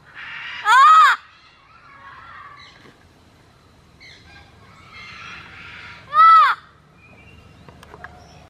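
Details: A parrot at a rescue sanctuary yells beside a wooden parrot mailbox: two loud, harsh, arched screeches about five seconds apart, with softer chattering and murmuring sounds between them.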